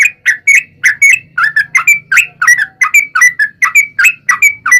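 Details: Lure recording of a sooty-headed bulbul's long 'ropel' song, meant to set other bulbuls singing: continuous bubbling whistles, quick and slightly irregular, each note rising or falling, with a faint low hum behind.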